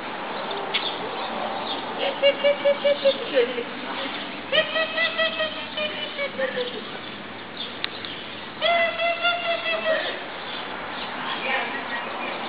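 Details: Many geese gathered around apartments in Columbus, Ohio: three bursts of loud, nasal honks, each a quick run of four to six calls separated by short pauses, with more scattered honking from the crowd behind.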